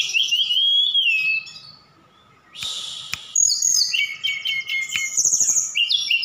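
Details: Javan bush lark from Sukabumi in full song, with imitations of cililin, sikatan londo and other birds: a long, high, wavering whistle, a short break with a harsh burst, then quick varied chirps and thin high whistles.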